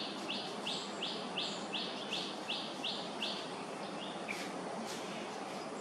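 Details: A juvenile buffy fish owl in Singapore, awake and inquisitive in the afternoon while its parents nap, gives about nine short, high, wheezy rasping notes, roughly three per second, then falls quiet. A steady background hiss runs throughout.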